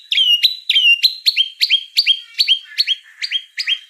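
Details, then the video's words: White-rumped shama giving a rhythmic string of about eleven bright two-part whistles, each a sharp high note dropping to a shorter lower one, repeated roughly every three tenths of a second. "Suara kicau burung murai batu gacor"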